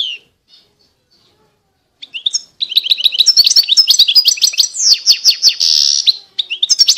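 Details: After a quiet start, a European goldfinch launches into a long, lively song of quick repeated chirps and tinkling trills, including a brief buzzy nasal section near the end.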